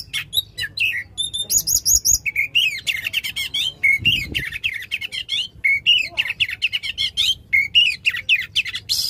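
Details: Oriental magpie-robin singing loudly in long continuous volleys, meant to stimulate a magpie-robin that has stopped singing; dense rapid chirps, trills and high whistled notes repeated in quick succession for the whole stretch.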